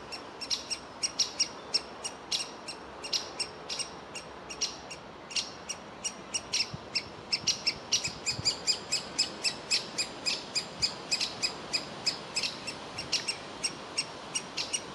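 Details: A young woodpecker sitting in a tree nest hole, wanting to be fed while its parents want it to leave the hole: high, sharp chirps repeated rapidly and steadily throughout, with a faint background hiss.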